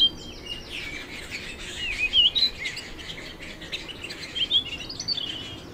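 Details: Canary song of scattered chirps building to clearer whistled, swooping notes in the middle, then rapid twitters, over a low hiss.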